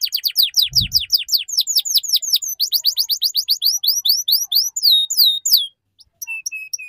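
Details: Lure song to teach young canaries the ngeriwik style: a long run of rapid down-slurred high notes, repeated about three times a second, ending in spaced flat whistles and one brief low thump.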